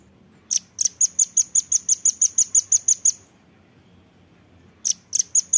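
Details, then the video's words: Velvet-fronted nuthatch heard on a recording used to train caged birds: a long, steady series of bright, shrill notes, roughly three per second, then a pause before another rapid burst begins. "burung masteran rambatan paruh merah"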